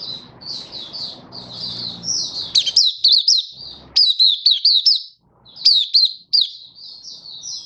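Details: Malaysian white-eye giving open 'buka' song in Singapore on a stable, warm, sunny day, 20 March 2023: high, bright warbled notes in fast rising-and-falling loops, after a soft broadband hiss early on.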